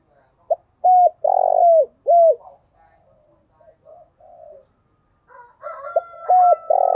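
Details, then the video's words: Spotted dove calling to lure wild doves, giving thúc, gù, gáy and gọi phrases: a phrase of three loud hollow coos, soft muttered notes, then another loud phrase overlapped by a higher drawn-out tone. "Chim cu gáy chơi đủ bài thúc gù gáy gọi toàn bộ vdeo, dùng kích bổi thì phải nói hiệu quả"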